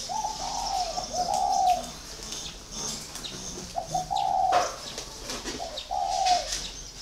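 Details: A caged còi spotted dove, in its fourth year of captivity, delivering soft low coo phrases with pauses between them. Faint high chirping from other birds and a sharp tap are heard.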